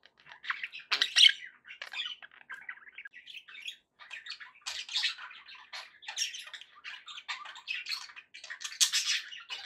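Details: Happy pet budgerigars chattering: a steady stream of soft scratchy warbles and chirps, rising into louder squeaky notes around the middle and end.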